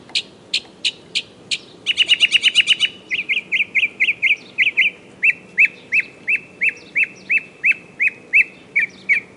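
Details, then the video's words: Northern mockingbird song: a few sharp notes, then a fast buzzy stutter, then long runs of the same clipped, upswept whistle repeated several times a second. "Northern Mockingbird Sounds"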